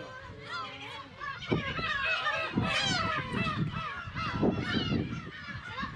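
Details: Breeding colony of Black-tailed gulls, Kabushima island, Hachinohe, Aomori Prefecture, Japan, early summer 10 June 2020 with chicks, GoPro HERO8; dense chorus of harsh, rising-and-falling mewing cries, rapid and overlapping, with low rumbling sounds underneath.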